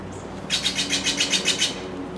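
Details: A Blue Jay squawking in a tree alongside a crow gives a fast burst of about nine harsh, buzzy squawks in just over a second, over a low steady hum.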